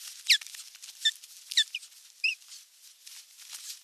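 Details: Osprey in Eurajoki on 25 April 2022, during a sky dance and courtship display for an unringed female, giving high, sharp, downslurred whistled notes in a quick, irregular series of about five calls, with faint background hiss.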